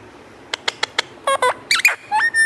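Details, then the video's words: Hungry pet Alexandrine parakeet, said to be a talking parrot, gives a run of short sharp clicks, then harsh squawky notes and nasal whistled calls ending in drawn-out tones, after a person says the parrot is hungry and calls it over. "Beautiful Talking Parrot @ mitu ko bokh lagi Alexandrine parrot"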